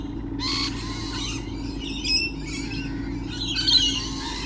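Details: Lorikeets are present in large numbers, recorded 28 November 2013. Several grating, high-pitched squawks rise and fall in short bursts, the loudest near the end, over a low droning hum.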